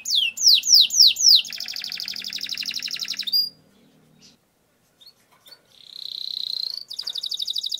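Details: Canary singing long rolls, used to lure and train other canaries; four loud downslurred notes, a long fast rattle, a pause with faint chips, then a rising whistle and renewed trill.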